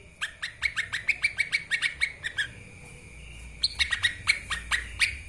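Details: Lesser green leafbird in continuous "narung" singing, used as a tutor recording. Quick, evenly paced chattering notes run about three per second over a held whistled tone, pause briefly, then resume with a louder, looser burst.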